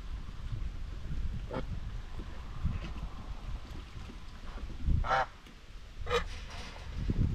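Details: White Chinese geese, domestic farm flock grazing and bathing: two short harmonic honks close together late in the clip and a fainter one earlier, over steady low rumbling background noise.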